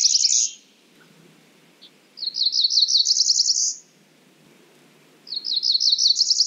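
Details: Cerulean warbler singing a series of short, high, buzzy notes that climbs steadily in pitch over about a second and a half. The phrase is repeated after a pause of about one and a half seconds, against a quiet background.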